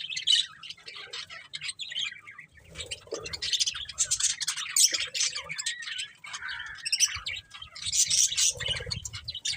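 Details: Budgerigars mix scratchy squawks with fast high chatter and warbling, the flock calling almost without pause, a few low knocks heard in the background.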